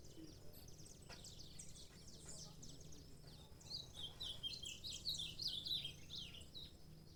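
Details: Saffron finch producing a rapid, dense stream of high chirps and trills that gets louder and busier in the second half, over steady low background noise.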